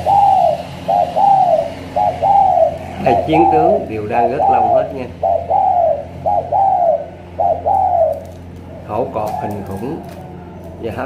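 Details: Spotted dove of the thổ cọp style, Cà Mau, Vietnam: a series of rounded, arching coos about every 0.7 seconds, then men talking and knocking noises near the end.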